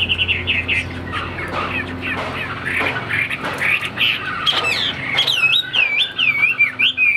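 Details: Caged Chinese hwamei, a tail-fanning fighting bird with wing display and tall posture; harsh squawky notes mixed with rapid chatter, then clear looping whistled phrases toward the end, over a low hum.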